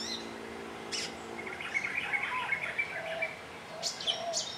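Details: Asian glossy starling on Ko Lanta, Thailand: a run of thin, squeaky, warbling notes with a few sharp high clicks, over a low steady hum during the first seconds.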